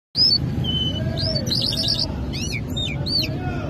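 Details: Lark sung in Mashadi jal style, called Irani or Afghani jal: loud, clear whistled notes sliding up and down, then quick high arched chirps in short bursts over a steady low rumble.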